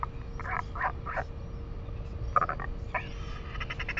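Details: Northern royal albatross pair at the nest, New Zealand: the returning female exchanges short, harsh croaks, some rapidly stuttered, with her mate as she takes over egg incubation; steady low hum and wind rumble underneath.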